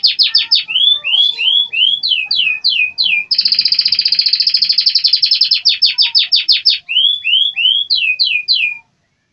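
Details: American Singer canary singing loud, continuous song: rapid repeated downslurred whistled notes in short rolls, a long fast buzzy trill in the middle, then more rising and falling slurred phrases; clean recording with no other sounds.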